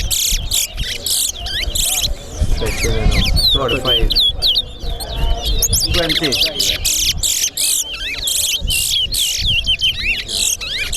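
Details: Towa towa, or chestnut-bellied seed finch, competing in a bird race at Sheriff Street bird ground: dense bursts of high, slurred whistles and sharp chips, with voices talking and counting in the background.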